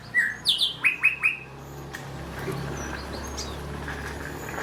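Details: Wild cinereous tit, locally called gelatik batu, singing actively: a quick run of about five sharp, loud whistled notes, each sweeping downward, over roughly a second, then a steady low hum with faint distant chirps.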